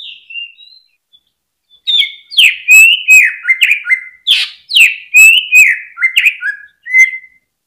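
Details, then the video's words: Caged greater green leafbird song meant to get other birds singing: after a few soft whistles, a rapid run of loud slurred, buzzy notes dropping in steps, with sharp clicking accents. "PANCINGAN CUCAK IJO BIKIN NGENTROK FULL HYPER DI GANTANGAN"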